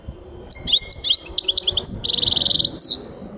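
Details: European goldfinch singing, recorded in 2023: after a short pause, a quick run of bright, tinkling twittered notes, then a fast buzzy trill near two seconds and a final sharp rising-falling whistle.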